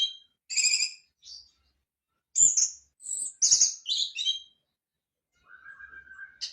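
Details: Orange-headed thrush singing in short separated bursts of high, scratchy and whistled notes with pauses between, ending with a thin steady whistle.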